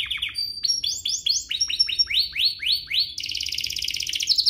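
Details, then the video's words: Canary singing as bait to excite other canaries: a series of upward-sweeping whistled slurs repeated several times a second, ending in a dense, fast, high rattling trill. "Pancingan kenari biar GACOR, kenari manapun langsung naik emosi habis dengar ini"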